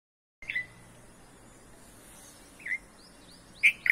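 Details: Red-vented bulbul chicks begging while a parent feeds them in a home garden; three brief, high chirps spaced over about three seconds, the last louder and buzzier, against steady low background hiss.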